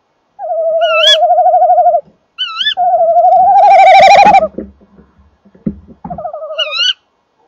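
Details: Male and female tawny owl duetting at the nest box one January evening; shrill rising kewick calls alternate with long tremulous hooting phrases, and a burst of rough scuffling noise sits in the middle.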